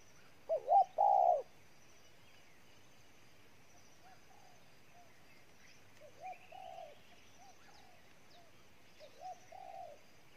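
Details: Wild-caught spotted dove from Ninh Thuận, Vietnam, cooing intensely: two loud, low, hollow coo notes open the recording, followed by softer, fainter coos spaced several seconds apart over steady background hiss.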